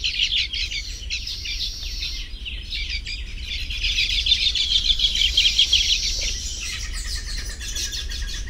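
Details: Nesting Baya weavers in tropical habitat chatter in a dense, high chorus of overlapping chirps and wheezy notes, with a steady low rumble of wind or background noise underneath.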